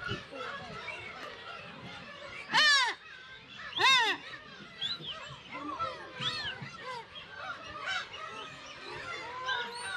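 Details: Black-tailed gull colony at Kabushima island, Aomori, Japan, in June with chicks; two loud, drawn-out, downslurred mewing calls stand out near the third and fourth seconds above a softer chorus of gull cries and faint human voices.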